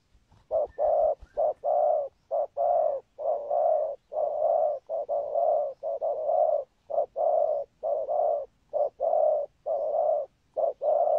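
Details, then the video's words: Spotted dove noted for its set song pattern, good rước and thúc gù cooing, giving a long steady series of low, hollow coos. Short and drawn-out notes alternate in quick succession, about thirty groups over eleven seconds, in a quiet setting. "Chim Cu Có bài, rước tốt, có thúc gù"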